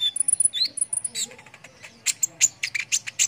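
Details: High, thin sunbird song meant for tutoring competition birds: a fast run of very high ticking notes, a short rising slur, then louder sharp chirps in an uneven series.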